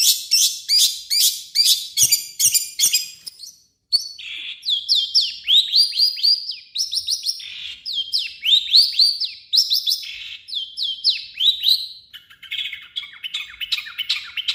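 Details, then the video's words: Harsh, full-material song of a long-tailed shrike, used to lure other shrikes into singing: a dense, rapid metallic chatter opens, followed by varied falling whistles and scratchy warbled phrases, ending in low, rasping trills. "burung cendet gacor FULL MATERI KASAR buat PANCINGAN CENDET AGAR CEPAT BUNYI"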